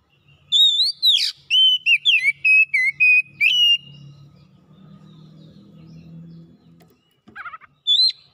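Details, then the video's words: Oriental magpie-robin in full song, showing off its repertoire of copied phrases: a rapid string of sharp, bright whistled notes and slurs, then a low hum and a few brief closing whistles. "KACER MALAS BUNYI NYAUT GACOR BONGKAR ISIAN"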